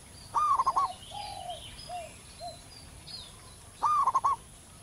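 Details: A wild local zebra dove delivers two loud stuttering phrases, each a rising coo breaking into rapid pulses. Between them come softer, lower, drawn-out coo notes and faint high chirps from other birds.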